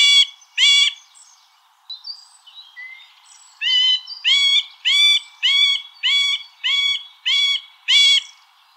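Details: Middle spotted woodpecker (Dendrocopos medius) song: a slow series of nasal, harmonic, slightly arched squeaky notes, about one and a half per second. Two notes open the series, then a short pause with quieter notes before a steady run of eight.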